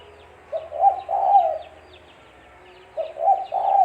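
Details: Spotted dove call played as a lure for bird trapping, a mellow low coo-coo-cooo phrase, then after a pause a second phrase begins, with light high chirps of other birds in the background.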